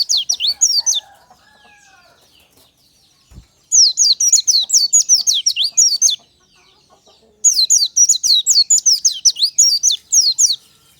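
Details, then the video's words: Natural morning recording of a white-eye's lure song: three energetic bursts of rapid, high-pitched, downward-sweeping chirps, each lasting two to three seconds, with faint lower whistles in the background early on. "PANCINGAN SUARA KICAU BURUNG PLECI ALAMI SNI"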